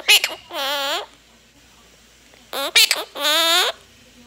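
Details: Pet female monk parakeet, three years old, speaking phrases indoors: two matching spoken groups, each a few clipped syllables followed by a long drawn, wavering vowel, separated by a second of silence.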